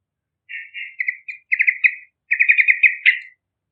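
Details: Vigorous yellow-vented bulbul song meant for luring young trucukan: a continuous run of quick bubbly, throaty notes, then a rapid chattering series ending on one louder burry note.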